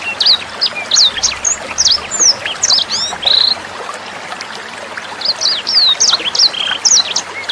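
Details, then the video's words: A sanger bird's tutor song, meant for other cage birds and young sangers to copy, mixed with trickling water. Rapid high chirps, curved slurred whistles and a short buzzy trill come in lively bursts with tiny gaps between phrases. "SUARA MASTERAN BURUNG SANGER NEMBAK JERNIH + GEMERCIK AIR"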